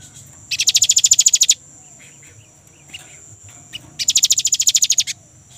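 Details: Young great tit giving two rapid rolling trills of about a dozen high, bright notes each, a few seconds apart, over a steady thin high whine; used as a lure to make kept birds sing.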